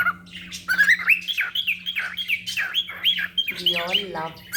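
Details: Two pet cockatiels playing in a home drawing room; one gives rapid, squeaky chirps and whistled notes, rising and falling, about three each second.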